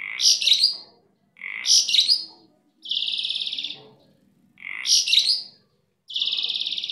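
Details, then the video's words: Pet starling kept by its owner, praised as a very active singer; loud bursts of squeaky, whistled, chattering phrases alternate with steady buzzy harsh notes, each lasting about a second with short pauses between, faint background murmur. "burung gacor"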